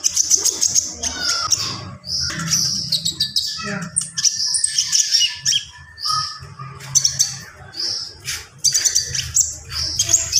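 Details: Gacor Javan pied starling in full isian song, mixing harsh squawky notes, rapid high chatter and clear short whistles across ten seconds, with low rumbling noise behind.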